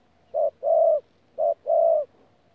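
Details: Spotted dove ('bổi') at Tu Mơ Rông, 14 January 2019, in 'thổ pha gù' cooing: two low phrases, each a short hoot followed by a longer, even coo, in a quiet setting.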